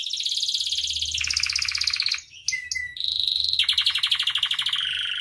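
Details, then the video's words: Canary in full vigorous song for tutoring and luring other canaries: long rolling trills dropping in pitch, a brief whistled note, then further rapid rolls, with a low rumble in the background. "SUARA KENARI AMPUH [#15] MASTERAN DAN PANCINGAN KENARI GACOR FULL ISIAN"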